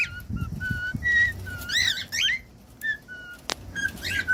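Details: Cockatiel whistles used for song training: level whistled notes alternating with warbled chirps, a sharp click midway, and a faint low room hum beneath.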